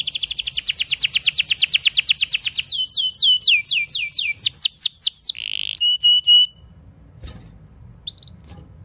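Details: Canary song used to tutor young canaries and ones that have stopped singing: fast, even trills of descending high notes, then slower swooping whistles, a short buzzy note and a few sharp chips before fading to quiet.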